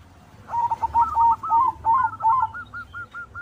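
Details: Singing white zebra dove, a perkutut meant to prompt other doves to sing, delivering a fast run of short, even cooing notes that ends in a quick series of clipped, repeated beats.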